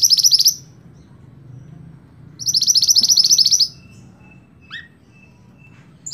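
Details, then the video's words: Scarlet-backed flowerpecker in lively song for training cage birds: two rapid, rattling high trills about two seconds apart, followed by a single downward chip and a faint thin whistle. "Burung Mantenan Gacor Sicabe Merah Mantab Buat Masteran"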